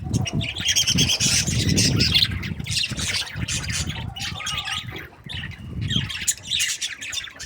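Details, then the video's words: Several happy budgies chatter in a dense stream of buzzy squawks and high chirps, briefly pausing before resuming, with low background rumble throughout. "Happy budgies chirping sounds"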